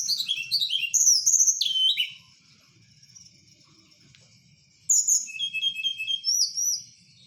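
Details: Blue flycatcher (tledekan, Merapi) singing at night as a kept bird: a rapid cascade of clear, high, falling whistles for two seconds, a quiet gap, then a second run of thin, tinkling and slurred notes, with a faint low hum beneath.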